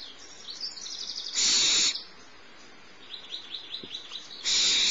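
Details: Barn owl owlet, the smallest, being fed by the adult female at Starr Ranch on 6 March 2011 around 10:30 am; harsh hissing screeches under one second long alternate with rapid series of thin, high chirping ticks.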